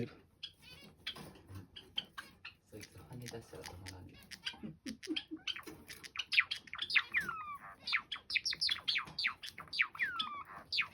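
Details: Two male pet Java sparrows, parent and offspring, dancing and singing a duet: soft clicks and bell-like chips build into quick runs of high, sweeping whistled notes. A person talks quietly early on.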